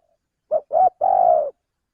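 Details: One clear three-part phrase of a male spotted dove, played to lure birds into a trap: a short coo, a second short coo, then a long steady coo; quiet surroundings.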